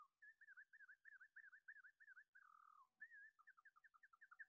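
Pacific Wren song played slowed down: even, wavering whistled notes about four per second, a lower slurred phrase, then quicker bouncing notes over a faint hum.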